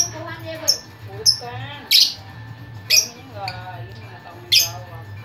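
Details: Lovebird giving loud, shrill chirps about once a second amid rapid warbling chatter, over a steady low hum.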